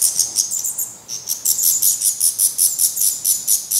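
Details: Black redstart nestlings near fledging, still fed by parents at a Portuguese nest: steady run of high, scratchy begging pulses, roughly three per second, with a thin whistle under the first second.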